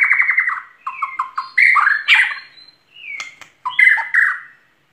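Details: White-rumped shama singing vigorously (gacor): varied phrases of clear whistles near mid pitch, some descending and slurred, broken by short pauses and sharp high notes.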